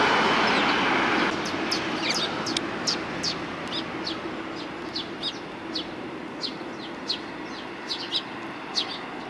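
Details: Sparrows gathering to be fed at a Tenmangu shrine approach, 29 May 2020: many quick sharp chirps in a busy chatter over steady hiss, with a loud broadband noise burst at the start.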